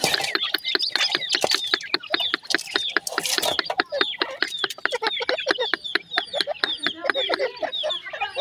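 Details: Teetar chicks, a new pair of grey francolins, keeping up a rapid run of sharp clicking taps and bright downslurred peeps, several per second, in a busy, continuous stream.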